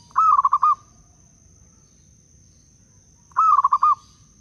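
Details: Zebra dove of the local Blora type, recorded as a lure sound to draw and stimulate other doves. Two quick trilled coo phrases of about five pulses each, three seconds apart, with a steady high whine behind.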